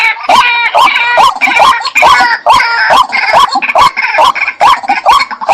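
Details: White-breasted waterhen giving loud, rasping croaks in a steady rhythm, about two per second, each note bending upward, with sharp clicking accents between them.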